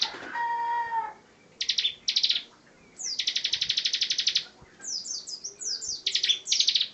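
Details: Bar-winged prinia (ciblek) song: a brief tonal harmonic note opens, then dense buzzy trills and clusters of sharp descending chirps follow in quick succession, with a few low thuds in the background.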